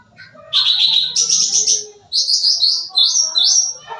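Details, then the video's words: Sooty-headed bulbul singing vigorously as a lure for young birds: long high buzzy trill that jumps higher, then a run of whistled rising slurs, faint low background noise. "Suara Cucak Ranting Gacor Full Isian, Cocok Buat Pancingan Burung Bahan"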